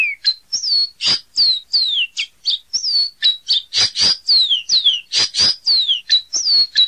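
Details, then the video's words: Caboclinho seedeater singing a fast, continuous run of high whistled notes, many sliding downward and some level, mixed with harsher buzzy chips, delivered with barely any pause throughout. "Canto do Caboclinho"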